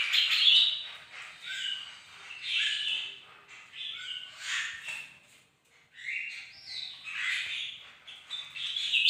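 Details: On a bright morning a bird-of-paradise delivers separate phrases of squeaky, chattering notes, each lasting a second or two, with short quiet gaps between them.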